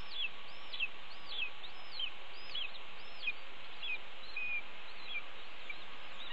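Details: Red-tailed hawk nestlings on a nest camera, late morning on 30 May 2013, calling for their parents as the mother arrives with a pigeon and feeds one chick; thin, high down-slurred cheeps repeat steadily, about one and a half per second, over a steady hiss.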